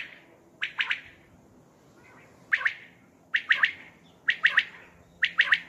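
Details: Night call of a Common quail, used as a hunting lure: crisp triple-note bursts spaced roughly a second apart, five phrases in all, clear against faint background hiss.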